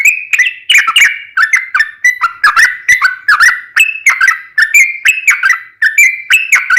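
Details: Sooty-headed bulbul in long rapid 'ropel' song, used as a lure so other bulbuls sing back: a continuous run of quick, bubbly fluted notes rising and dipping, about two to three per second, with no other sounds.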